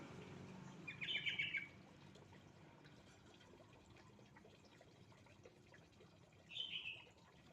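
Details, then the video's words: Sooty-headed bulbul lure song, used to prompt reluctant, silent birds into singing: two short, bubbly chirping phrases, each about half a second long, about five seconds apart, over a faint steady background hiss. "Suara Pancingan burung trucuk males bunyi"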